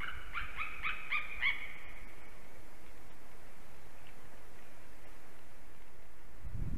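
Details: White-tailed eagle in Slītere National Park, Latvia, on a December morning in 2020: a quick burst of five or six ringing yelps in the first second and a half, then near quiet with faint ticking and a low rumble at the end.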